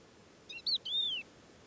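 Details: Thekla lark in vast stony desert near Boumalne Dades, Morocco, singing while foraging at first light in early March: short clear whistled phrase ending in a long arched, slurred note, with faint background hiss.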